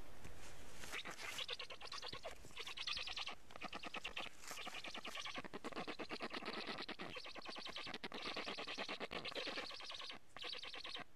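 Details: Black stork chicks at a nest in Estonia begging, then defending the nest as a strange stork comes near, filmed by a live nest camera: a dense run of rapid, rasping, repeated noisy calls that carries on almost without a break.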